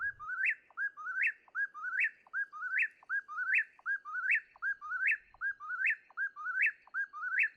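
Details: Eastern Whip-poor-will repeats its loud, whistled three-part name phrase, rising sharply at the end, about once every 0.75 seconds without pause; it can call hundreds of times without stopping, all night long.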